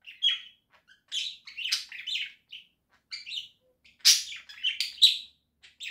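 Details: Budgerigars kept as pets, recorded indoors in October 2024: quick chirpy chatter of squeaky whistles and clicks, building to a cluster of loud, grating calls late in the passage.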